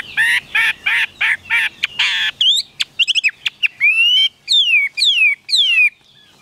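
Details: Caged Chinese hwamei gives a burst of rough, buzzy chattering notes, then crisp chirps, then several clear whistles that sweep down, repeated about once a second.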